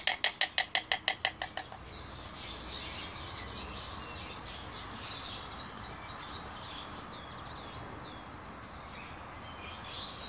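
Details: White storks bill-clattering on their nest: a rapid wooden rattle of about a dozen sharp clacks in under two seconds, then fading into a background of small birds chirping.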